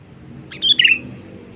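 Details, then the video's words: Sooty-headed bulbul used to lure wild birds, giving one bright chirped two-note phrase, the second part lower and burry, against a noticeable low hum and room-like background. "Suara Panggilan Kutilang Memanggil Burung Liar ‼️ Pikat Kutilang Cengkram"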